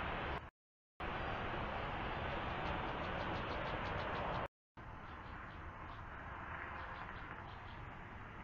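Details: Continuous rumbling noise like traffic or wind, broken by two brief silent gaps, with no animal sound heard.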